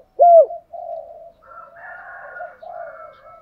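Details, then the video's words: Spotted dove lure coo, male and female, in the thúc gù and gáy gọi styles, used to stir trained birds to sing. One loud arched coo opens, then softer wavering, murmured coos follow. "Tiếng chim cu gáy mồi giọng lôi cuốn hấp dẫn đủ bài[ THÚC GÙ , GÁY GỌI ]"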